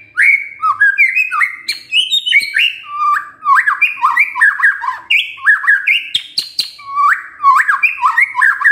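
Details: Lure recording of a white-rumped shama singing to rouse a reluctant male: fast, continuous medley of slurred whistles and upward-flicked notes, loud and varied, with sharp clicks scattered through.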